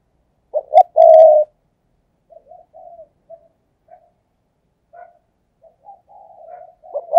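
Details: Spotted dove kept as a decoy to attract wild doves, cooing 'thúc gù': one strong phrase of two clipped notes and a drawn-out coo, followed by scattered quiet, broken cooing notes.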